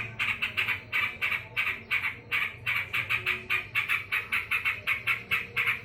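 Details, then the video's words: Yellow-vented bulbul in full voice while angry: harsh, buzzy notes repeated quickly, about three each second, in a steady scolding chatter. "BURUNG TRUCUKAN GACOR LAGI EMOSI"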